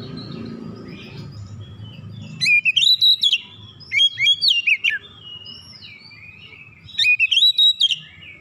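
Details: Oriental magpie-robin singing hard to fire up other magpie-robins, showing off its repertoire. A low rumble opens the recording, then three bursts of quick, piercing whistled notes that rise and fall, separated by quieter warbling.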